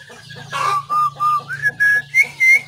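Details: Song of a white-rumped shama, 17 April 2024: a run of loud, pure whistled notes, each held briefly, stepping upward in pitch from one note to the next, over a faint low hum.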